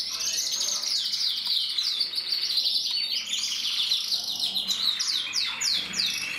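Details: Several captive-bred mosaic canaries, 2024, chorus of overlapping high warbles and chattering trills, with a run of sharp descending notes near the end.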